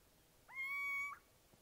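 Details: Little owl giving one drawn-out, cat-like mew: a brief upward swoop, then a level sustained tone with a small upward flick at its close, against a quiet background.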